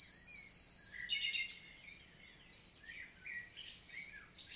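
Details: Common nightingale singing in the morning on 11 June 2023 in countryside forest of the Célé valley, Lot, southern France. A long high whistle is followed by short chirps and a brief burst, then quieter warbled notes fading into soft background.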